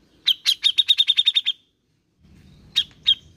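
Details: Grey-cheeked bulbul lure sound for a bird slow to sing: a quick, even run of about ten bright chirps, then a pause and two lone sharp notes over a low rumble.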